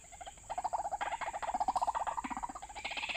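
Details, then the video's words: White-breasted waterhen call used as a trapping lure: a dense, rapid series of throaty pulsed notes repeated many times a second, with a constant high-pitched electronic hum behind it. "Pikat hanya menggunakan MP3 suara ruak-ruak"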